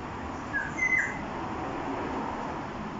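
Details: Midday call of a Black-naped oriole in Jurong East, Singapore, 13 October 2021, around 1 pm: a brief, rich, liquid whistled phrase of two or three fluty notes, then a soft steady background.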